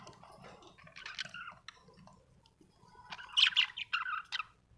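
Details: Happy budgerigar, quiet at first with soft rustling, then a closer run of sharp, squeaky chirps and warbled notes near the end.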